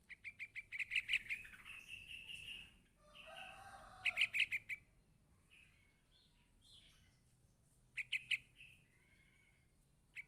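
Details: Yellow-vented bulbul chick calling its parent: rapid bursts of sharp, high chirps in quick runs of about six to eight notes, repeated at intervals, with a lower, harsher buzzing sound between the bursts.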